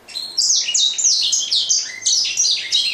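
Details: Grey singing finch singing a rapid, continuous warble of high sweeping and slurred notes, many falling from high to mid pitch, packed tightly together for the whole three seconds with no other sounds.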